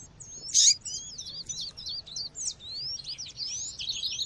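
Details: Female seedeater (coleiro or papa-capim) calling amid nature sounds, used to stimulate males; thin, high, upward-sliding whistled notes repeated about twice a second, with a loud sharp chirp near the start and other birds twittering around.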